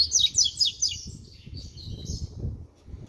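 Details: Six-month-old double-collared seedeater (coleiro) beginning to sing: a short burst of quick, high chirping notes and sharp downward slurs, then fainter twittering over low background rumble.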